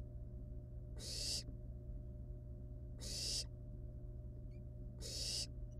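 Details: Wild barn owl nestlings at their nest, playing with a live rat before eating it; three breathy, harsh hisses evenly spaced about two seconds apart over a steady low hum.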